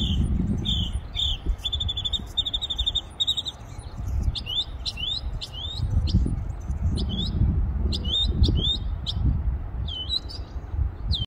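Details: Songbird singing at length from a tree: level high whistled notes strung in quick series, then sharp rising upward-swept notes repeated in groups, with low background rumble throughout.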